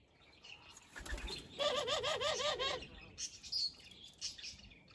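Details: Captive Barbary dove giving a laughing call: a quick rolling series of wavering, bubbling coos lasting about a second, with high chirps of other small birds before and after.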